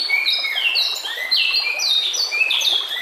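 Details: White-rumped shama song meant for training other shamas: a rapid stream of bright, descending whistled notes, each sliding down, delivered almost without pause over a soft natural background.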